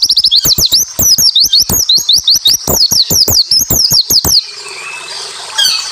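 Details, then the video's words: Japanese white-eye song played to make other white-eyes answer: a fast, rising and falling stream of high slurred whistles over sharp rhythmic clicks for over four seconds, then a soft hiss. "masteran burung pleci suara rapat tembakan sadis"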